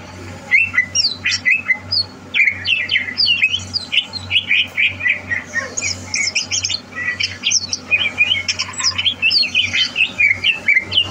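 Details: Future-champion greater green leafbird, 30 November 2022, gives a long varied medley of squawky, chirping and whistled notes in quick bursts, with a low hum throughout.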